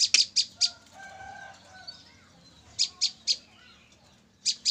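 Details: Captive female olive-backed tailorbird, trapped three days earlier, utters clusters of three or four sharp high chips, a quiet gap with faint softer tones, then more chip groups.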